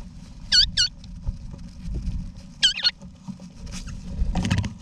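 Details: Eastern rosellas, wild, in a backyard nesting box in Australia during November 2018, parents with chicks; paired high looping notes twice, two seconds apart, then a burst of scratchy rustling at the end.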